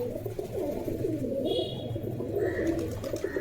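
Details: Several domestic pigeons, released from their cages and calling while being given food and water, coo together in a low, continuous, throaty murmur.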